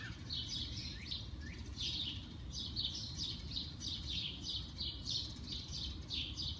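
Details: Birds singing early on a spring morning: many high chirps and short trills in quick overlapping bursts, with steady low rumbling background noise throughout.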